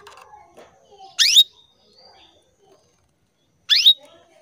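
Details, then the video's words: Female canary calling males, a lure call meant to spur males into song: two sharp upward-swept chirps closing on a short thin tone, spaced about two and a half seconds apart, with soft scattered chatter early on. "PANCINGAN KENARI BETINA MEMANGGIL JANTAN"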